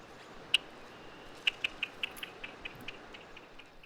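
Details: A Red-winged Blackbird gives chuck calls typical of reeds and tall marsh vegetation: short, dry, clicking notes, one alone then about ten more at an uneven quick pace, over a quiet background.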